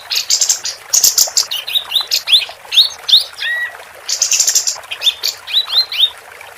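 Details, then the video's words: Female capped white-eye in full song for tutoring competition birds. Fast high twittering mixes with sharp upswept whistles and one lower, flat whistled note, delivered in a continuous lively stream. "Kapas Tembak Betina Gacor"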